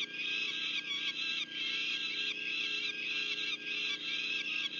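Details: Peregrine falcons at a nest in Union County, New Jersey, 6 June 2023, as a female delivers food to the young: loud, harsh, drawn-out wailing calls, nearly continuous with brief dips.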